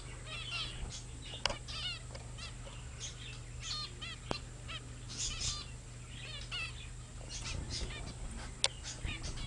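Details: Several zebra finches, babies now grown up, filmed 15 February 2009: a chorus of brief nasal beeps and chirpy honks, overlapping and irregular throughout, with a few sharp clicks and a constant low electrical hum beneath.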